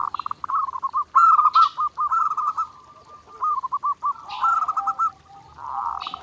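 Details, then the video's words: Zebra dove sings continuously for daily training practice: trilled bursts of fast cooing notes, some phrases sharper and rising, others rolling and purring, separated by short soft pauses. "SUARA PERKUTUT GACOR NONSTOP | MASTERAN PERKUTUT JERNIH UNTUK LATIHAN HARIAN"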